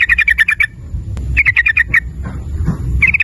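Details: Vigorously singing yellow-vented bulbul (trucukan) used as a lure to make others sing in rapid 'ropel nguklik' fashion: quick series of five or six bubbly chirping notes, a pause, then another run, over low background hum.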